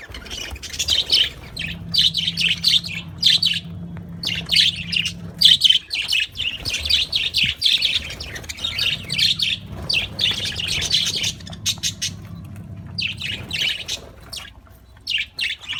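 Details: Budgerigars on a soft-food day chatter with dense, scratchy chirps and warbles, a low steady hum running underneath.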